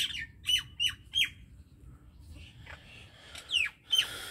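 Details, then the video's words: Common myna song: a string of four sharp, descending squawking chirps at a quick pace, a short pause with softer notes, then two more loud downward-slurred chirps. "MYNA BIRD SONG / MYNA BIRD SOUND /MYNAH BIRD SINGING"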